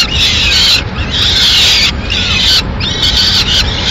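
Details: Peregrine falcon nest in Madrid, 6 May 2016, with the female delivering a pigeon. Raw, screeching wails are repeated roughly every second with short irregular breaks, over a low background hum.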